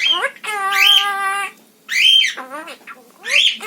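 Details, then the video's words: Indoor pet parrot, a female, gives drawn-out, nasal, rich-toned squawks, one held for nearly a second, followed by descending harsh calls and a final rising squawk. "Bird sound"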